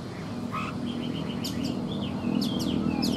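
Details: Oriental magpie-robin, an old wild-caught bird kept caged for three seasons, singing in the morning: short whistled notes and quick rising and falling slurs over a steady low hum.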